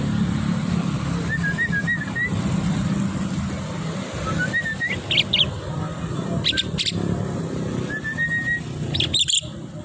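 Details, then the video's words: Tame Javan myna singing while taken on a walk along a road: short whistled rising and falling notes, a few sharp chirps, over constant low traffic rumble and wind. "burung jalak kebo jinak dan gacor"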